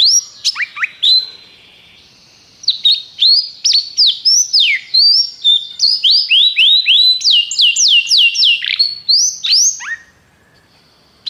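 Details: A canary, used to stimulate other birds to sing in training, sings a rapid run of bright, high whistled notes and sweeping trills.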